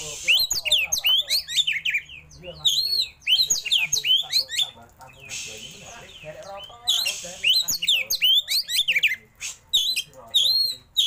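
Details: Oriental magpie-robin (kacer) singing a rich, varied song with mimicked phrases and a rapid-fire roll: dense bursts of sharp, swooping whistles and chattering notes, repeated in quick runs with short pauses across the whole recording.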